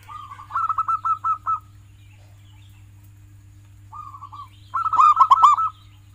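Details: Zebra dove (perkutut) of a local strain singing as a tutor for pet doves: a quick trilled series of coos, a short soft phrase, then a louder rolling, ringing burst, over a faint steady hum.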